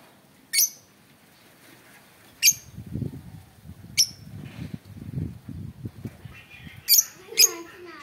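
Lovebird giving sharp, shrill squeaks, five in eight seconds, spaced one to two seconds apart; low murmuring voices in the background.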